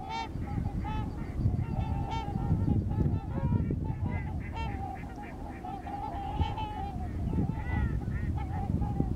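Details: Migrating trumpeter swans in Missouri: a dense flock chorus of nasal, horn-like honks overlapping continuously, many birds calling at once, over a steady low rumble of wind or background noise.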